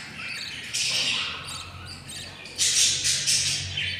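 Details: A brood of four albino lovebird chicks, fifteen days old and hungry, gives grating, hissing squawks. A long raspy burst comes early, then a louder cluster of rapid squeaks near the end.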